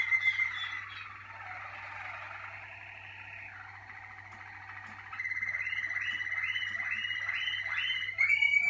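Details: Malinois Waterslager canary warming up in the song cabinet. Long rolled tours give way to quick repeated chirped notes over a steady whistled tone, with a low electrical hum throughout.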